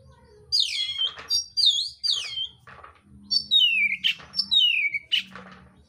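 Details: Oriental magpie-robin of the mintal type in fighting mode, delivering coarse mimicked phrases: loud, sharply descending whistled slurs and buzzy bursts in quick bursts, over a faint low hum.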